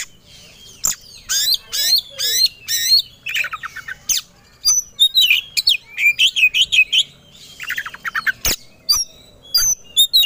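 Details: White-rumped shama (kacer) singing aggressively when provoked, ready to fight: harsh buzzy rattles, fast trills and clear high whistled notes, about two phrases per second in an uneven rhythm.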